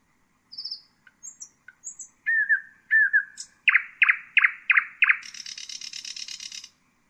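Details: ['Common nightingale (Luscinia megarhynchos) singing a varied phrase: high pure whistles, slurred downward notes, a run of five loud repeated chirps, then a dense buzzy rattling trill at the end.']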